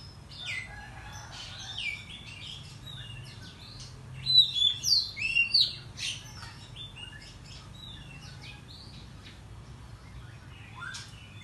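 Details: Oriental magpie-robin lure song, morning, intended to agitate rival birds: scattered soft chirps, then a loud cluster of sharp, sliding whistled notes near the middle, followed by quieter twittering and faint background hum.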